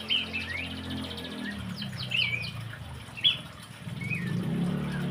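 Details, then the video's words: Horsfield's babbler, singing vigorously: scattered bright whistled notes and short downslurred phrases with a few brief trills, set against a steady low rumbling hum. "PELANDUK SEMAK / CINGCOHO GACOR"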